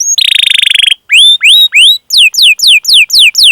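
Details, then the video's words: Canary song meant to prompt other canaries into singing: a short fast buzzy trill, then bright rising whistled notes, then evenly spaced falling chirps about five per second. "Masteran Suara Burung Kenari Gacor Panjang cuit cuit Ngerol untuk Pancingan Kenari!"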